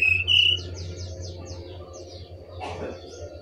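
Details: Brown-chested jungle flycatcher from Bali singing: a steady high whistle followed by a quick run of short, thin notes that slur downward. A low constant hum runs underneath.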